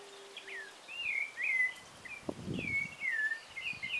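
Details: At dawn a rufous-bellied thrush delivers mellow warbled phrases, each a looping whistle that dips and rises, with a brief low rumbling noise midway through.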